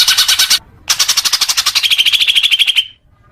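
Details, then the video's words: Leafbird song for training young birds: a short harsh burst, a pause, then a fast pulsed chatter that turns into a steady whistled tone and stops abruptly. "suara kicau murai daun untuk terapi burung bakalan"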